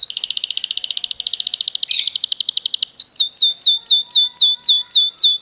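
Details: Canary giving a loud, high, fast trill of rapid repeated notes, which then shifts to a slower series of sharp downslurred whistled notes, about four each second.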